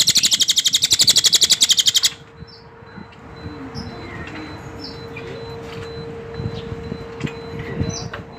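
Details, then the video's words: Cililin bird opening with a fast, high, evenly pulsed trill of around fifteen notes over two seconds, then falling quiet apart from faint distant chirps over a steady low hum. "suara burung cililin"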